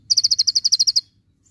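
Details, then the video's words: Javan white-eye (konin) training recording: a fast, high, even burst of about twelve sharp chip notes in one second, then stopping, the full rapid-fire "tembakan" delivery; nothing else is heard. "konin full tembakan"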